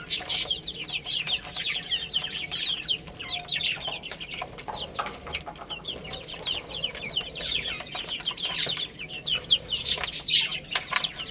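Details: Baby chickens chirp steadily as they play and eat, a continuous mass of high, thin peeps from several birds, punctuated by clicks and rustles.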